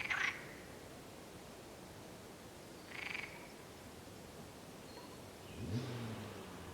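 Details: Mallard at a pond in San Antolín, Zamudio, on 16 May 2020 gives three short, rasping calls about three seconds apart, the last lower and more drawn out, over a steady background hiss.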